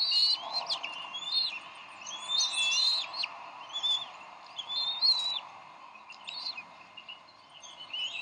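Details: Bald eagles at the Decorah nest on 30 May 2012, the parents squabbling over a fish the male brought; high, squeaky whistled notes rise and break in short bursts, several spread across the clip with gaps between.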